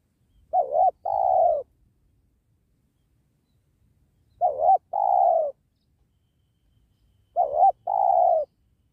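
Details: Wild spotted dove (tekukur) recorded at a trapping spot by a sacred tree. Three paired coos about every three to four seconds, each a short wavering note and then a longer, smooth, descending coo, in quiet surroundings.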